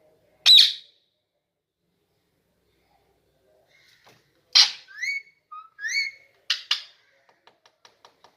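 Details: Pet Indian ringneck parakeet, known as Kashmiri parrot, indoors in a small room: one loud harsh screech, a long pause, then a run of short whistled, rising and falling notes, two more rasping bursts, and faint ticking clicks at the end.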